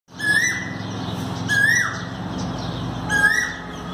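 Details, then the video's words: Asian koel calling, dated 5 May 2019: three clear rising whistled notes, each a short upslurred 'ku-oo' about a second and a half apart, over a steady low background hum. "कोयल Cuckoo"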